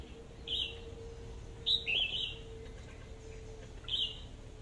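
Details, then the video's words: Decoy red-whiskered bulbul in AK voice style sings bright, short whistled phrases, one near the start, a louder double phrase in the middle and one more near the end, with a steady electrical hum beneath. "tiếng hót chim chào mào mồi/sâu đầu đỏ cọp giọng AK"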